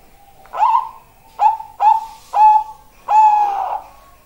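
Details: Zebra dove singing: five soft, low cooing notes, each beginning with a quick upward flick and then holding level, spaced under a second apart, the last note longest and trailing off.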